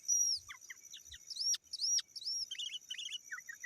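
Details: Sooty-headed bulbul calling rivals, used to lure wild birds: high arched whistles alternating with short dropping notes, ending in a quick cluster of bubbly chirps, with a few low knocks.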